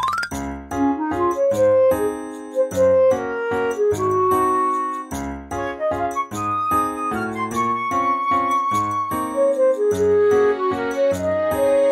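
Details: Melodic instrumental music with bell-like, chiming tones and a steady bass; no animal voice is heard.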